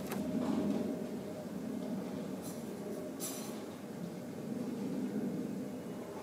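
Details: Rumbling train or rail traffic with low droning noise and a few brief clinks, no animal calls heard.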